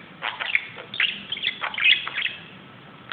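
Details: Budgerigar acting wildly while playing on top of a closet indoors, giving soft scratchy chirps and short warbled notes in bursts over about two seconds, then quiet.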